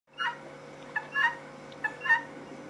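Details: Female guineafowl calling, two paired, harsh two-note cries a second and a half apart, each a short rasping note followed by a slightly longer one, fairly soft against a steady low hum.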